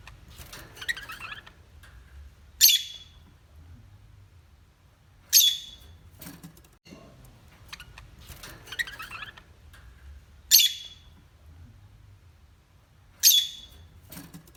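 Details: Parrot giving sharp, high, screechy calls roughly every two and a half seconds, with softer rasping chatter between them, over a low background rumble.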